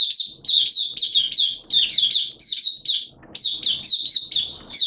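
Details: Oriental white-eye kept as a hobby songbird, recorded 11 September 2022 in wet, erratic weather, singing loud, high, rapid warbled twittering phrases in bursts of under a second, separated by brief pauses.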